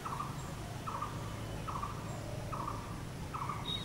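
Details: Blue-throated barbet repeating a rolling, throaty trilled note about every 0.8 seconds, five notes in all, steady rhythm, with a low continuous hum and a brief thin whistle from another bird at the end.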